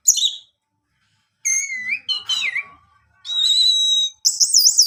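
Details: Orange-headed thrush song used to coax a kept male into singing: a brief high note, pure whistled phrases dropping in pitch, a rough buzzy stretch, then a steady high whistle and a wavering trilled note.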